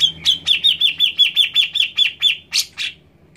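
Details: Grey-cheeked bulbul song played to coax a quiet caged bird into singing: a fast run of about a dozen sharp, slurred chirps, evenly spaced, ending in two harsher, louder notes, with faint low hum behind.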